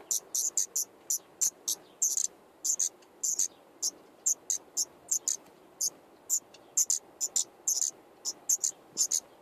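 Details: At a common nightingale nest with five chicks in an attic, filmed by nest camera on 15 May 2014 during the day, a rapid, irregular series of short, hissing, very high-pitched bursts, about three or four per second, sounds over a quiet background.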